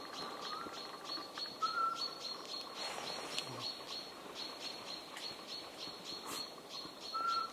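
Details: Eurasian pygmy owl at Ostervala-Toften, Sweden, gives two short, pure, mid-pitched whistled notes several seconds apart, over a steady high buzzy trill and faint birdsong in the background.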